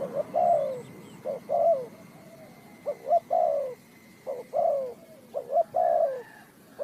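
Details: Spotted dove cooing during bird trapping, Ninh Thuận: mellow low phrases, each a quick double note followed by a drawn-out descending coo, about four phrases in seven seconds over a soft rural background.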